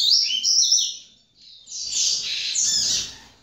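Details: Young captive-bred double-collared seedeater, second generation, at a breeder's facility in Brazil, giving high, rapid chirping warbles: a first burst of bright twittered notes, a brief pause, then a longer, denser run of buzzy, sweeping tweets.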